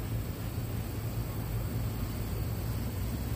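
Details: A low, even rumble of wind or engine noise with steady hiss above it and no animal voice present.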